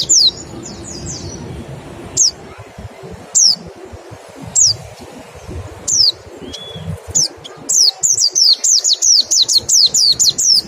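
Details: Mountain white-eye in 'nembak' style song with 'ngecal' lure, used to stimulate quick singing: sharp, high, downward-slurred whistles at irregular intervals, then a rapid string of similar notes near the end.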